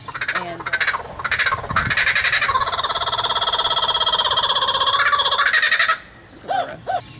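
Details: A hand-raised captive Laughing Kookaburra at Scovill Zoo gives its loud, rolling laughing call, fast harsh chuckling notes that swell and run on for several seconds; a brief human voice is heard near the end.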